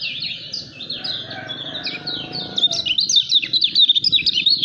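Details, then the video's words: Caged lemon-bellied white-eye, touted as a future champion, delivering a hurried stream of high, thin twittering notes that grows louder and denser toward the end, over a faint low rumble. "KECIAL KUNING SUPER NGEJOS"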